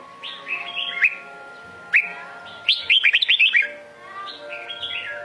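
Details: Red-whiskered bulbul of the Sông Kôn strain from Vietnam sings bright, liquid whistled phrases, ending in a quick run of rising chirpy notes; a faint steady hum runs underneath.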